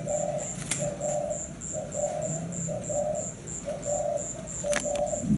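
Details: Thai zebra dove, cream-marked variety kept in a cage, singing a run of quick, soft, rolling coo phrases, each a short burst separated by brief gaps, with steady high insect pulsing and a few clicks in the background.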